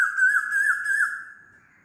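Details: Asian koel giving a loud, sustained whistled call, slightly wavering in pitch and fading out after about a second and a half.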